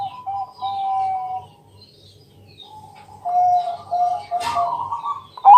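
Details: Zebra dove of the Bangkok type, night-time lure to prompt other doves to sing: steady trilled cooing, a quiet stretch, then louder rolling coos broken by a sharp knock near the end, with low humming.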